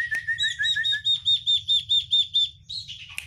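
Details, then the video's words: Oriental white-eye singing a song packed with 'isian' fill-in phrases described as sharp: a fast series of clear whistled notes, first lower then higher and pulsing about twice a second, ending in a brief rising trill. "sirtu isian luber banyak pedes"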